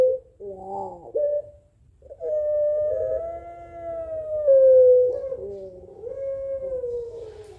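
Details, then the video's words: Barbary dove of the drawn-out pelung type calling back and forth to a rival: long, sustained, slightly wavering mellow tones, one held for several seconds, preceded by shorter broken notes, over a faint low hum. "Suara Puter Pelung Saling Sahut Memanggil Lawan"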